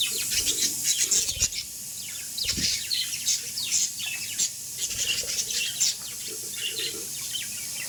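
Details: Dense, continuous budgerigar chatter of quick high chirps and scratchy warbles over a constant hissing background.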